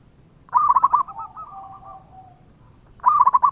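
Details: Local zebra dove, an actively singing bird used as a lure: one phrase of rapid, pulsing coos that fades into soft trailing notes, with a second burst beginning three seconds in.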